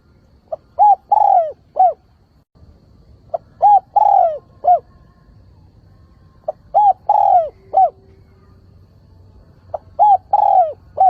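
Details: Decoy spotted dove calling to lure wild doves for trapping and to provoke them into calling; clean recording. Four mellow cooing phrases about three seconds apart, each a faint pip, short coo, long falling coo, then a final coo, over a low hum.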